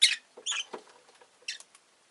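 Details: A pet rosy-faced lovebird gives four shrill, harsh chirps in about two seconds, with faint clicks and scratchy rustling between them; town noise such as engines may also be present.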